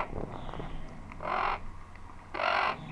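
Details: A male Blue-throated Macaw, calling in the background at a macaw breeder's, gives two harsh, raucous squawks about a second apart, each under half a second long, over a quiet, faintly noisy background.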